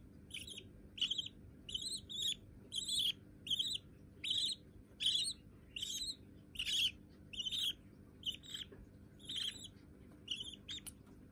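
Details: Budgerigar babies, both white and already tame to the hand: continuous sequence of rasping chirps, some doubled, spaced under a second apart for about eleven seconds over low room hum.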